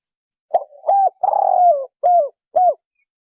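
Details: Low, mellow cooing from a spotted dove: a brief opening note, a short coo, a drawn-out vibrating middle coo sliding gently downward, then two crisp closing coos spaced about half a second apart, with no other sounds.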